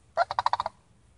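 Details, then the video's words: One brief rattling call from a visiting sandhill crane family: about seven evenly spaced, throaty pulses delivered in well under a second against a quiet background. "SANDHILL CRANES CALLING"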